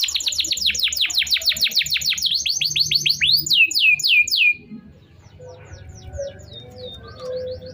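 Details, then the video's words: Canary singing a lure song meant to restart silent birds and train young ones: a fast series of high descending whistled sweeps for about four seconds, then near quiet with faint distant chirps. "kenari gacor panjang Cuit Cuit EMOSI, Pancingan Kenari Paud Belajar Bunyi, terapi AMPUH Kenari MACET"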